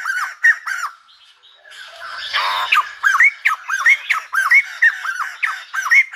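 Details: A silver-headed babbler sings like a lumba dancer: a few hooked whistles, a noisy harsh passage, then an even, bouncing series of curved notes repeated about twice a second.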